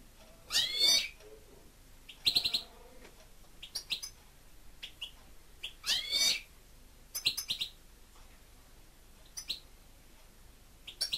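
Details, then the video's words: Singing pet European goldfinch: repeated phrases of sharp, tinkling twitters and rasping buzzes, each a second or less, coming every one to two seconds with short pauses between. "(Goldfinch) 2. STICLETELE STICLUTZA CANTA"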